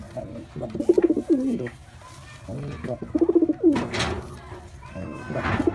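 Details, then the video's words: Male white pigeon performing indoors, giving two pulsed, throbbing coo phrases that rise and then slide down, separated by a short pause, with soft room noise between. "Pigeon Sound Effect || Male Pigeon Super Performance || White Pigeon"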